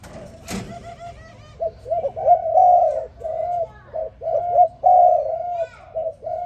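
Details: In the morning, a spotted dove gives low, soft coos in short rolling phrases, repeated steadily; faint chirps of small birds and a brief click are heard too.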